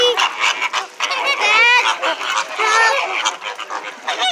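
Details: A loud group of captive flamingos at SeaWorld. Overlapping goose-like honks and brassy nasal notes come in irregular clusters, with short gaps between bursts.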